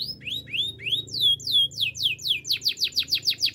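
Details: Gloster canary singing, used to train canaries to sing: rising whistled notes that turn into descending sweeps, accelerating into a rapid series of loud downslurred notes about five per second.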